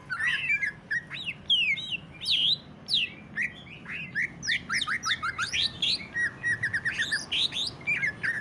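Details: Greater green leafbird song of the ngentrok type, used to stimulate other leafbirds: lively series of slurred upward and downward whistles and chirps, growing into rapid repeated notes near the end.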